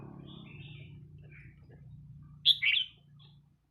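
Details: Red-whiskered bulbul giving a few short warbled phrases, ending in a louder, bright burst of two quick notes, over a steady low hum.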